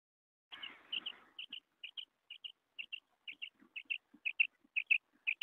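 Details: Common quail giving quick two-note calls repeated about twice a second after a brief rustle at the start.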